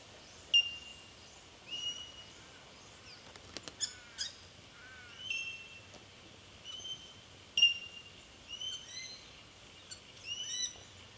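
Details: Chorus of bell miners recorded in Victoria, Australia, during March 2011: bright pinging bell notes at irregular intervals from multiple birds, mixed with short rising and falling whistled slurs and a few clicking sounds.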